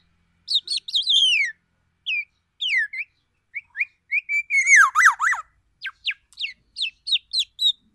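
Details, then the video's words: Sumatran black-naped oriole from Aceh pouring out shama-style imitations: varied clear whistles, sharp downward slurs and short upswept notes in a lively broken sequence, with a loud rich burst in the middle. "Kepodang emas gacor,bongkar isian murai batu"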